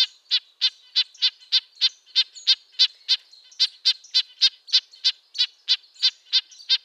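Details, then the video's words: Red-breasted nuthatch, a small songbird of coniferous forests, giving its high-pitched nasal tin-trumpet call: short stacked notes repeated about three times a second in a steady run, with faint softer notes between. "Red-breasted nuthatch sounds, Sounds of the Canadian Nuthatch"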